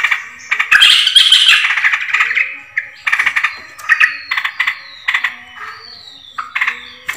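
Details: Yellow-vented bulbul lure recording: harsh, bubbly chattering calls in rapid bursts, with a few clear whistled notes sliding downward between them.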